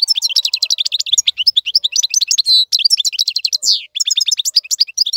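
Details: Steady European goldfinch song meant for teaching young birds: rapid high twitters and liquid chirps, with a few drawn-out nasal buzzes and one sweeping slur.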